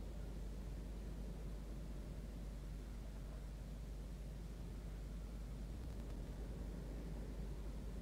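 Only a constant hiss and low rumble from a falcon nest camera are heard, with no calls from the birds.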